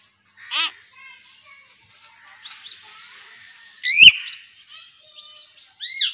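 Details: Common hill myna in a talking performance: sparse ringing harmonic notes, faint murmured syllables, a loud click with a bright whistled call, and a final rich arched note.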